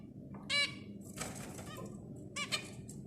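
Zebra finches give short, nasal, buzzy honking notes in bursts about a second apart, with scratchy chatter between them over a low background hum.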